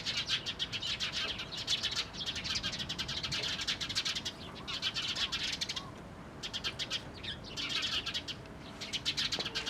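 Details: Eurasian tree sparrows (Passer montanus), recorded 4 February 2012, chatter in a dense, overlapping stream of sharp, bright chirps, with short pauses between bursts from what sounds like a flock.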